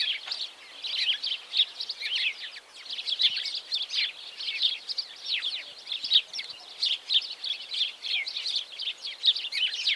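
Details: Busy, overlapping House sparrow chirps, short, bright and high-pitched, run almost without pause like a chattering group; the songs were added to slow-motion footage of a small group on a henhouse roof.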